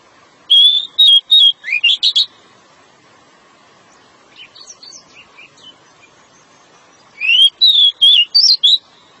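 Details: Male pied bushchat in a long song meant to lure a female: two bursts of loud, clear whistled notes around a steady pitch with rising slurs, separated by a few seconds of softer twittering, over a faint steady hum.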